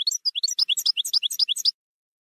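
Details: European goldfinch, campero song style, delivering a rapid, continuous stream of bright, liquid twittering notes for under two seconds, each note quickly sliding up or down. Clean recording with no other sounds.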